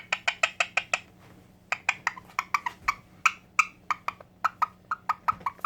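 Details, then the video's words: A white pet Indian ringneck (rose-ringed parakeet) that loves playing with children gives quick runs of sharp, clipped squawks, about six notes a second, with brief pauses, over a faint indoor hum. "White Indian ringneck making beautiful noises"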